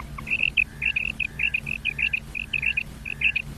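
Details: Female common quail call used to lure quail for hunting in ripe wheat, with short, high chirping notes repeated rapidly in pairs and triplets, over a faint low hum.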